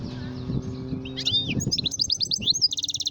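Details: A goldfinch gives quick, liquid twittering notes that speed up into a rapid, evenly pulsed high trill at the end, with low murmuring and a constant background hum beneath.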